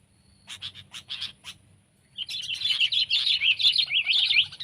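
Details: Sooty-headed bulbul: a few spaced sharp chirps, a short pause, then a steady run of loud jumbled twittering and warbled notes to the end.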